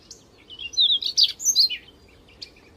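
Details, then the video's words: Small wild birds singing in the wild: a quick, sweet run of high chirps and twittering trills over about a second and a half, then a single sharp chirp near the end, over a soft background hiss. "Kicauan merdu burung burung kecil di alam liar"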